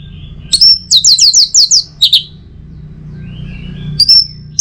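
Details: Orange-headed thrush singing in North Bali, a morning lure for other songbirds: a quick series of five or six descending, slurred whistles, a couple of sharp chips, a lower faint whistle, then a thin high note.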